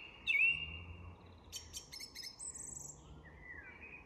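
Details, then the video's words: Song thrush at dusk in an English woodland, giving a single rising whistled note followed by a scatter of short high ticking notes and a falling whistle, with quieter dusk chorus birds in the background. "Recognising Bird Song - The Song Thrush & Dusk Chorus in an English Woodland"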